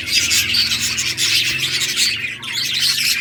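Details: A group of budgies keeps up loud, unbroken high chattering and warbling while playing, with low rumbling background noise.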